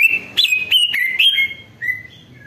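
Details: Greater green leafbird song used to prompt other leafbirds to respond: a string of loud whistled notes that step and slur downward, then a few softer, lower whistles trailing off.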